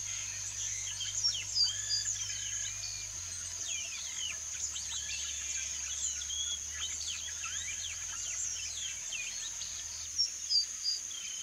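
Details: Yellow-rumped marshbirds (Pseudoleistes guirahuro), free in the wild, give a busy stream of short chirps and whistled notes over a steady insect drone.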